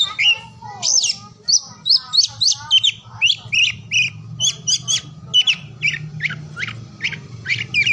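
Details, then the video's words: Oriental magpie-robin song recorded across morning, midday and afternoon, played to prompt silent or lazy magpie-robins to sing: a lively run of short whistled and chirpy notes, some sliding, repeated in quick bursts over a low steady hum. "KICAUAN KACER DI PAGI SIANG SORE HARI"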